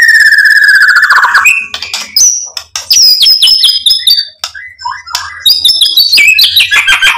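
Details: White-rumped shama singing to provoke a rival into song: a descending whistle, then fast, varied high notes and trills with abrupt bursts.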